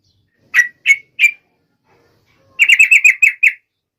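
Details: Trucuk, the yellow-vented bulbul, calling sharply to set other trucuk birds singing: three separate bright chirps, a short silence, then a quick run of about eight clipped chirps in a clean quiet setting.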